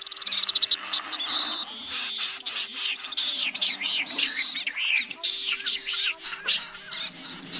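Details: Common snipe calling as a flock, used as a two-speaker lure for night nets in August 2024: a short fast clicking run, then a continuous jumble of scratchy high calls, with low electronic hum.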